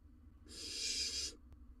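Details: Single long breathy hiss under a second, then a small tick, from a barn owl nest box in Israel as the male brings a rodent to his chick in the breeding season.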